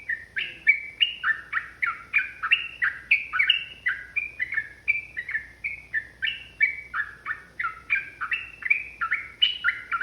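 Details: Provoked, fighting-mood yellow-vented bulbul delivering a long continuous 'ropel' song: a steady stream of bubbly, liquid two-tone notes, about three per second, varying slightly in pitch, over quiet low hum.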